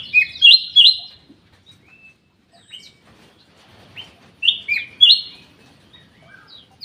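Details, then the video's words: Black-capped bulbul singing in an aviary: two loud bursts of paired whistled notes, each a high clear note dropping to a lower one, separated by quieter chirping from other birds. "KICAU KUTILANG EMAS \ CUCAK EMAS GACOR"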